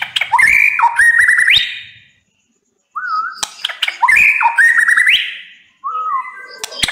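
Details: White-rumped shama song. Loud phrases of whistles, trills and rising sweeps, separated by a short silent gap. Softer, lower, slurred whistles follow each burst.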